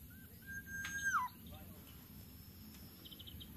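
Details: Small Greater Coucal nestling fed by a parent with a big prey item it can barely swallow; one steady whistled note that slides quickly downward at its close, over a low background hum.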